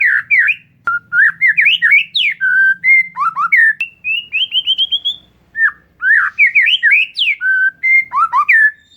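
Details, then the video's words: Oriental magpie-robin (kacer) song meant to stimulate a mute bird: varied rising and falling whistles, a steady run of brief high notes in the middle, and a faint low hum early on. "Kacer Mogok Bunyi Tiba-tiba Gacor Isian Mewah"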